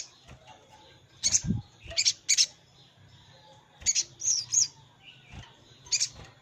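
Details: Lure recording of a sogon calling a rival to draw wild birds into a trap: clusters of high, piercing chirps and squeaky notes in two or three bursts, with a soft low rumble in the background.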